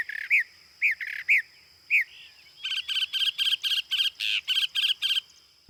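A Northern Mockingbird sings bright, high phrases: a few slurred rising-falling notes, then a rapid run of about ten identical buzzy chirps repeated in quick succession.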